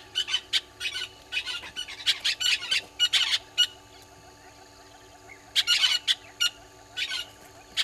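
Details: Southern red-billed hornbills at a waterhole in Sabi Sand, South Africa, in the morning: sharp clucking notes in irregular rapid series, a quiet gap around four to five seconds, then another loud burst and scattered single notes.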